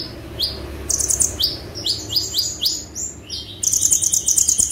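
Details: Konin song, 'tembakan' style: a series of sharp upward-flicked chips, roughly two per second, framed by shimmering high buzzy trills at start and end, over steady background noise.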